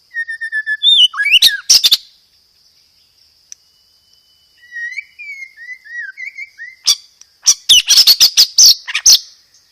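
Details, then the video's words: White-rumped shama singing loud, clear gereja tarung material dominated by roll tembak: thin whistles and a fast rising trill, a quiet pause, soft slurred warbled notes, then a rapid burst of hard repeated clicking notes. "SUARA BURUNG MURAI BATU isian gereja tarung, full materi roll tembak"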